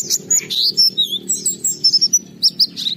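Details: High sweet warbling of an oriental white-eye, used to get other white-eyes singing: drawn-out whistled slurs mixed with quick chips, irregular and lively.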